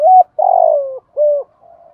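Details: Decoy spotted dove, cooing to provoke wild doves: a short flat note, a long throbbing coo gliding downward, another rounded short note, then a faint trailing murmur.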